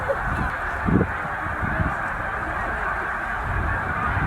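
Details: Migrating snow geese, some 100,000 at Middle Creek wildlife refuge, create a rumbling, noisy chorus of honks blending into a broad roar, with a few louder bursts near the start.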